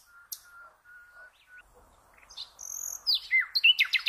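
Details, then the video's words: Common nightingale song for training cage birds: faint steady whistles at first, then loud sharp rising notes and fast rattling trills toward the end. "The Best NIGHTINGALE Song for all bird lovers"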